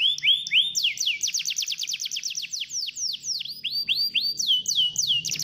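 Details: Canary song meant to get a reluctant canary singing: two drawn-out whistles, then a rapid run of sharp descending notes slowing into looser slurred phrases and ending on swooping whistles.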